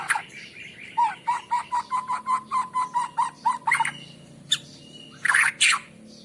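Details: Morning song of a white-rumped shama, used as a lure for birds: a rapid series of about a dozen sharp repeated notes, then short harsh, burry bursts after a pause.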